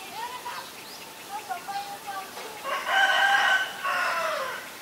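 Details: Asian barred owlet call: a few short, soft, whistled notes, then a loud, harsh, chattering burst of two linked rasping phrases, the second fading downward.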